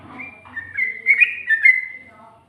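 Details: Yellow-vented bulbul song in the ngikluk and ngGARUDA styles, recorded in 2020: a bright warbled phrase of slurred whistled notes, rising and falling, with a few quieter low sounds at the start.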